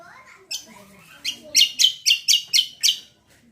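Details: Greater green leafbird (cucak kombo) singing as bait to get other birds to respond: soft warbled notes lead into a fast, even series of seven bright, harsh chips.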